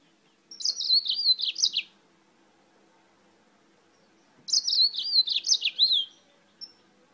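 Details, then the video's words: Yellow-fronted canary, a bird from Spain, singing: two tumbling warbled phrases of high, quickly changing notes about three seconds apart, and a brief single chirp at the end, in a quiet setting. "CANÁRIO-DE-MOÇAMBIQUE DIRETO DA ESPANHA CANTANDO MUITO"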